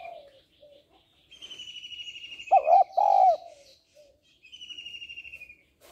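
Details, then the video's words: Spotted dove female calling to stimulate males: one loud double coo mid-clip with quieter low coos around it. A high, buzzy, gently falling trill from another bird is heard before and after. "Cu gáy mái kích trống/ tiếng cu gáy mái kích trống hay"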